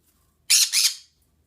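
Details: Pet green-cheeked conure making noises indoors: a single harsh, raspy squawk split into two quick pulses, about half a second long, with a quiet room behind it.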